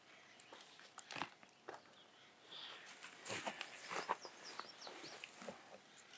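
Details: Jays at about 7,000 ft in the Gila National Forest, New Mexico, very loud: harsh, scratchy calls in uneven bursts, some clipped, some drawn out, with faint rustling and handling noise nearby.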